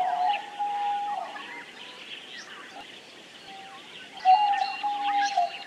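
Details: Diamond dove song: a smooth held coo at the start and another louder one after a quieter stretch, set against constant high twittering from other small birds.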